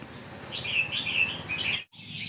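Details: Red-whiskered bulbul at a bird-equipment shop, moulting and not taken out lately, noted for clear, big-voiced, long songs, sings a bright bubbly warbled phrase, pauses briefly, then starts again with a clear whistled note.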